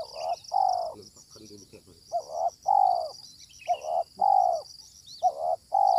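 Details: Wild spotted dove responding aggressively to a decoy dove during bird trapping, giving loud low cooing notes in groups of two or three, each a short rising then steady coo, with faint insect buzzing and a brief voice in the background.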